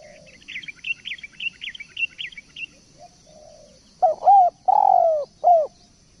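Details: Spotted dove in full song (gacor), a tutor recording; after a run of high chirps from another bird, four loud coos with short rising-falling notes follow in quick succession.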